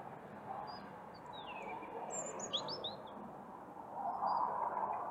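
A European robin gives thin, high, wavering phrases with quick falling slurs and sparkling notes in short bursts, over a steady broad rushing background noise.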